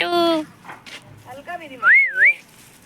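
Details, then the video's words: Talking pet parrot that says mummy and papa. A short voice-like harmonic syllable opens the recording, then scattered soft calls and a loud pure whistle that swoops up and down twice. "mummy papa bolne wala tota"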